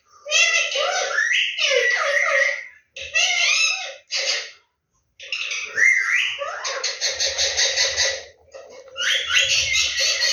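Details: Pet Indian ringneck parrot talking. Bursts of squeaky, buzzy, speech-like phrases are mixed with whistled rising notes. Short pauses separate the phrases, with a near-silent gap in the middle.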